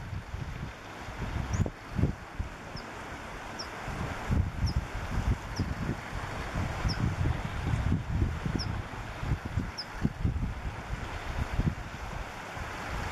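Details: Rock pipit on the coast path near The Grove, Isle of Portland, on a gusty day: thin, high single notes repeated roughly once a second, faint beneath heavy wind and low rumbling surf.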